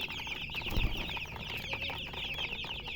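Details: A flock of colored chickens giving rapid, high, slightly downslurred chirps that overlap into a continuous twittering, with a soft thud partway through.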